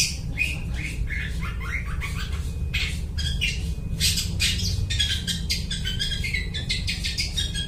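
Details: Long-tailed shrike in squawky imitative song, used as a lure for trapping birds; descending chattery phrases, then denser buzzy bursts in the second half, over a constant low hum.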